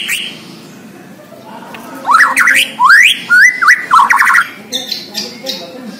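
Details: Borneo white-rumped shama, a caged bird singing energetically: a quiet start, then loud zigzag whistles, upward sweeping phrases and a fast trilled stutter, trailing off into softer high notes.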